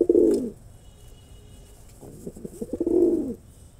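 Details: Male pigeon in performance: a deep rolling coo, a brief pause, a stutter of short low notes, then a second long swelling coo.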